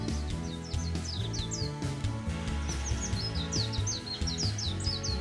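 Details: Warbling white-eye in Kyoto in April 2025, giving thin, high, quick downslurred chirps in rapid clusters of about one or two per second, over steady background music.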